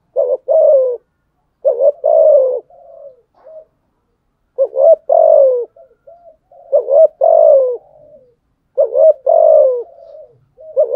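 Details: Sustained rival-challenge cooing of a spotted dove, 'thúc gù': about five low phrases in eleven seconds, each a rising pickup note before a drawn-out descending coo, with faint soft notes between phrases.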